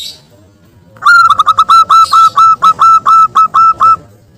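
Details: Local wild-type zebra dove used as a lure, calling to provoke a rival into singing; after a second of quiet, a loud run of about twelve clear whistled coo notes at an even pitch, each note briefly stuttered at its start.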